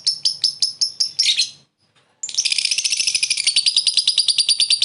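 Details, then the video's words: Lovebird ngekek for luring a rival: a handful of spaced shrill chirps, a short gap, then a sustained rapid buzzy chatter of high notes. "Suara burung lovebird memanggil lawan + ngekek pendek mantap buat pancingan"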